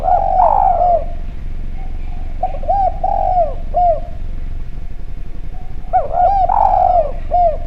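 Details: Actively calling Javan spotted dove in a clear voice, used as a lure to make doves respond. Repeated phrases of soft, arched coos each end in a longer, falling note, separated by a quieter gap.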